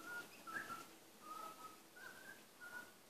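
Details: Quiet whistled phrases from a pet male butcherbird singing to himself: a few clear, level, flute-like notes spaced about half a second apart, one with a brief upward flick, over soft room hiss.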